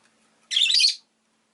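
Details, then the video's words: Single loud, grating half-second shriek from a rosy-faced lovebird, broad and rasping, after near silence. "Lovebird Chirping Sounds"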